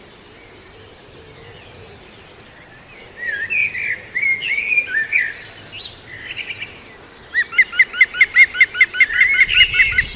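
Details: Juvenile female Picus viridis, London's Walthamstow Waterworks Nature Reserve, 5 Sept 2022: mixed chirping and squeaky notes in the middle, then a steady fast train of repeated hooked notes over the last few seconds.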